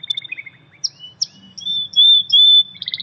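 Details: Canary singing freely in the wild, famed for its 'tembakan' (shooting) song: scattered high chips and short whistles lead into long, loud, sustained pure whistled notes, ending with a burst of quick high notes.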